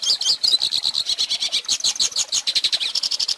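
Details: Hooded Siskin song meant for teaching chicks to sing, heard as an unbroken stream of quick, high, scratchy chirps mixed with short rising and falling whistled slurs.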